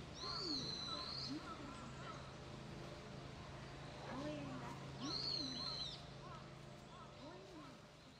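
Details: Common kingfisher at a pond on 17 October 2013, a male returning after a year and a half, with a young female also present, gives two long, thin, high whistles about four seconds apart over softer calls of other birds and a low hum.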